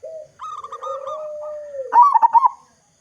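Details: Zebra dove of a local strain, a strong-voiced singer used as a lure for other zebra doves, gives a long steady low coo, then a burst of rapid, bouncing, clipped coo notes.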